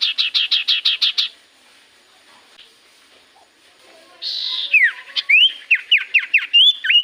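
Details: Common iora song serving as a lure to make quiet birds sing back: eight rapid harsh buzzy notes, a quiet gap, then a burst of noise and a quick series of looping whistled notes.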